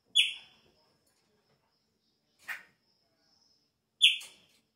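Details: Chopi blackbird singing at the start of the breeding season: two loud, sharp, downslurred whistled notes about four seconds apart, with a short raspy burst between them and a faint thin whistle in the background.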